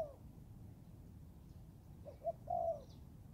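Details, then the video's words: Spotted dove, a young Thai-type bird practising in the forest, gives one phrase near the end: two soft short notes and a sustained low coo, with a faint high chirp from another bird. "cu gáy 78 ( clip 52 ) thái tơ đag tập rừng"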